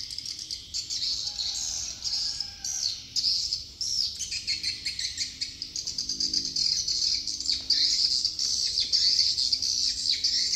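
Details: High, rapid swiftlet twitters from Dương Tơ commune on Phú Quốc, many birds calling at once in pulsing bursts that grow denser toward the end.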